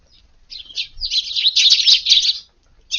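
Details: Several Eurasian tree sparrows arriving in a garden at dawn for morning feeding on a hot August 19th; dense, overlapping high chirps and chatter build after half a second and run for about two seconds, then stop before a final chirp.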